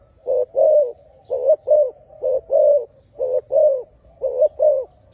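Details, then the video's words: Spotted dove song: short clusters of two or three deep, rounded coos repeating at a regular pace of roughly one per second, each cluster separated by brief silence. "The Best Dove Singing លលកម៉ាលេងសម្លេងធំ"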